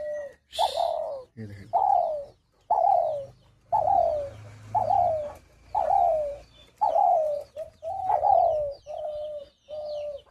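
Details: A caged hunting-decoy Spotted Dove gives the agitated jhumur call. Husky, downslurred coos repeat roughly once a second in a steady series, with faint rustling and a low hum beneath.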